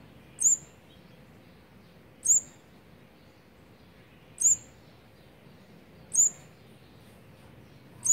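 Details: High, thin chip notes of an olive-backed sunbird repeated roughly every two seconds, five in all, during feeding of fourth-brood nestlings on day 18, 8 March 2020, against a steady low hiss.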